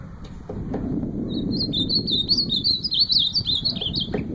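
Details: Ultramarine grosbeak singing a quick run of high, slurred whistles over loud low rumbling noise, with a few clicks at the start.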